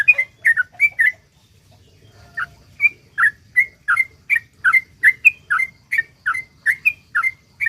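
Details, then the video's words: Yellow-vented bulbul in lively long-phrased song played to coax other bulbuls to sing; a few bubbly notes, a short gap, then a steady run of bright rising-falling whistles about two per second. "suara trucuk gacor ROPEL PANJANG ampuh buat pancingan trucuk agar bunyi"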